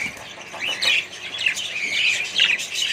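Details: Busy colony of budgerigars and other birds: quick upslurred chirps and grating squeaks follow each other closely, with some wing flapping mixed into the high chatter.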